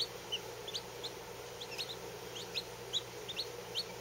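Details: Fourteen Lavender Orpington chicks, hatched within the last day, warming under a heater; scattered high, short peeps, some doubled, come at a slower, sparser pace over a steady electrical hum.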